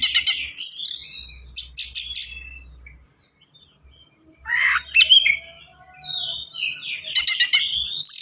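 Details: Kacer, the Oriental magpie-robin, in busy song with little pause. It mixes rising and falling whistles, quick rattling bursts of repeated notes, and harsh buzzy phrases, with a quiet stretch in the middle.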